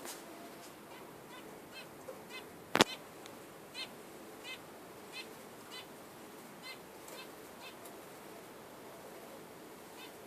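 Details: Budgerigar uttering a series of short chirps roughly every second, with one sharp loud click early on and a soft hiss throughout.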